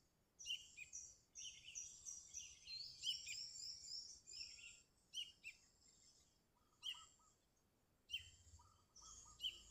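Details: Sooty-headed bulbul singing persistently to provoke rivals, a recording used as a lure: repeated bright chirpy phrases in bursts, some long jumbled warbles, short lower whistled notes between.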